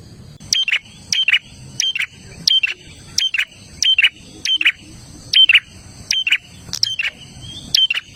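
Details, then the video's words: Loud gacor dor song of an olive-backed tailorbird, used to get caged birds singing: a steady series of about eleven sharp, clipped whistled bursts, each roughly two-thirds of a second apart. "Suara prenjak Gacor Dor"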